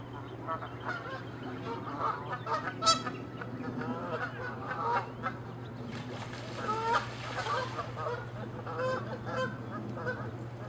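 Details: Angry, territorial Canada geese fighting and chasing; irregular harsh honks and cackling calls in bursts, one sharp high squeal, over a constant low hum.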